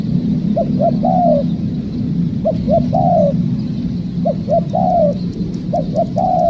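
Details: Wild spotted dove heard during trapping, giving a repeated coo phrase: two quick short notes then a long sliding, falling note, four phrases at fairly even spacing, with constant low droning noise beneath.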